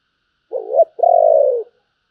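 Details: One spotted dove phrase sung in the thổ voice, bầu style: a short wavering opening note, a brief pause, then a long soft low coo that trails downward. Clean, with no background sound.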